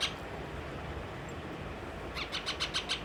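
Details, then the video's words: Angry baby pet parrot turning down food gives a brief chirp, a pause, then a fast run of five sharp, high-pitched notes, over a constant low hum. "baby parrot 🦜hua khana ka waste ma gussa aur gussa ka waja sa khana nahi khaya"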